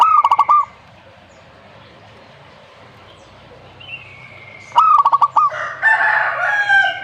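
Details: Two phrases of quick, staccato cooing from a zebra dove, a few seconds apart, followed by a louder burst of chattering chirps from another bird.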